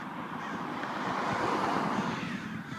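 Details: Crows massed at a roadside sanctuary in Simi Valley at sunset, loud and numerous. A steady wall of overlapping raspy caws with no pauses, so thick that single calls blur together.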